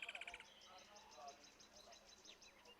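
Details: Woodland kingfisher, one individual, giving its characteristic call: a loud, harmonic-rich opening note followed by a long series of quick, high repeated trill notes, quiet and slightly distant.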